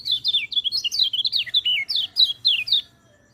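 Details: A rapid outpouring of high, squeaky, twittering notes from a white-eye, each phrase sliding downward, run together for about three seconds before stopping. Recorded as training material for white-eyes that seldom sing.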